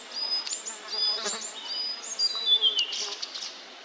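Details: Immature Blue-and-white Flycatcher at meal time, giving a string of short, clear, high whistled notes and slurred phrases, some falling in pitch, over a steady buzzy insect-like hum in the background.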